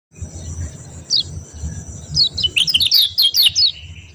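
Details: White-eye, kecial kuning, singing in the rapid style linked to songbird contests: a burst of fast, high, sharp chirps and descending twittered notes over a steady high hiss and low background rumble.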